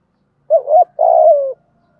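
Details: Spotted dove cooing as a lure to provoke rival birds: a quick wavering opening note and a longer buzzy coo that drops at the end, on a quiet background.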